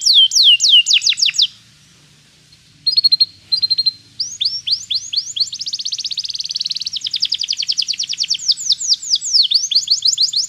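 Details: Canary singing to train a canary to sing: quick falling whistles, a pause, short piping notes, then long fast rolling trills and slurs, over a faint low hum in the background.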